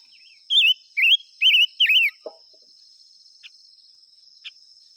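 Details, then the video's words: Five-coloured bird singing: four loud, rolling warbled phrases in quick succession within about two seconds, then a soft low note and two faint short chips, over a steady high insect whine. "tiếng chim ngũ sắc hót chuẩn muồi gọi buổi.."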